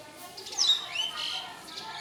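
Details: House sparrows cleaning themselves with mud in a cow shed in India give a few brief, high chirps, then a thin rising note, over a soft background hiss.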